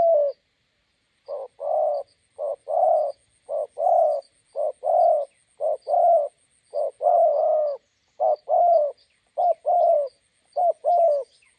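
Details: Spotted dove decoy answering a wild bird by a roadside in Gia Lai, Vietnam: a run of paired coos, short then long, about one pair per second. Tiny high chirps from other small birds sit in the background.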